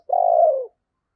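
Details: Spotted dove lure bird with a deep 'thunder voice', calling to entice wild doves: one single low, sustained coo lasting just over half a second, gently falling at its end, in silence.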